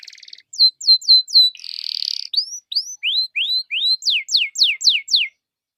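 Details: Lure song of a canary to get other canaries singing: a soft buzz, four sharp descending notes, a rattling trill, then a series of rising slurred whistles and a final run of steep downswept notes.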